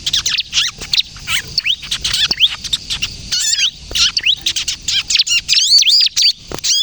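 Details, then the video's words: Bar-winged prinia (ciblek kristal) in lively kejepit song, played to lure birds and get other prinias singing: sharp high chirps and arched whistles, busier and looping toward the end. "suara burung ciblek kristal gacor, ciblek kejepit untuk pikat dan pancingan ciblek bahan agar bunyi"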